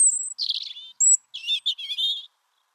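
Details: European Robin winter song, sung by males and females defending winter feeding territories: a short, varied phrase of high thin whistles and tumbling warbled notes, some sharp and clear, others scratchy, with brief pauses between.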